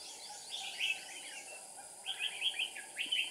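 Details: Red-whiskered bulbul kept as a decoy bird for trapping, recorded 7 April 2019: short bright warbled phrases at high pitch, one burst near the start and a run of quick repeated chirpy notes in the last second and a half, over a steady background hiss.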